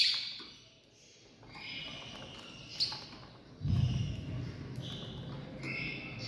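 Lovebirds chatter in harsh, shrill bursts of squeaky calls every second or so, over a steady low rumble of room noise and thumps.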